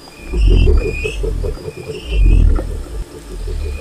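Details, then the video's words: Low, throbbing booms from a wild cassowary, loud at the start and again midway, with a pulsing vibration running through. Faint high bird calls are audible. "O Canto do Casuar Selvagem"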